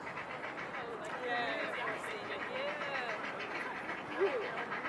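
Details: Grey Heron chicks in a nest on an island pester a parent in an insistent, overlapping begging chorus of wavering, nasal calls that rise and fall, with a louder squawk near the end, until the parent flies off.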